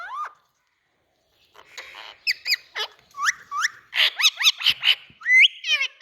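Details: Pet Indian ringneck parakeet giving a rapid series of harsh, squawky calls, mostly short notes clustered in quick succession with some whistled, rising tones; bursts come after a brief silence and end in a loud trilled squawk.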